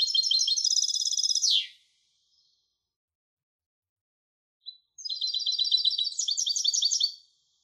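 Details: European goldfinch hybrid singing two bursts of rapid, high, twittering trill, the first ending in a downward slur, separated by about three seconds of silence and one brief chip.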